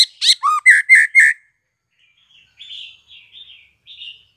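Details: Spotted juvenile white-rumped shama just out of the nest gives quick clicks, a low dipping note and a series of harsh buzzy rasps, followed by soft, quiet chattering phrases.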